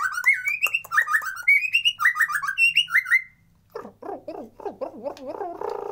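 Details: Lure recording of white-rumped shama for birds that sing little: bright, rolling whistled phrases in quick succession, followed by a lower, chattering series of rasping, wavering notes.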